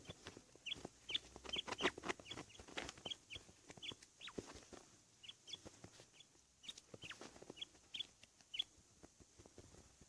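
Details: A fighting quail, readied for a fight and said to be fighting itself, gives short, sharp, high chirps in irregular bursts, several per second, mixed with clicking and tapping sounds and a low background hum.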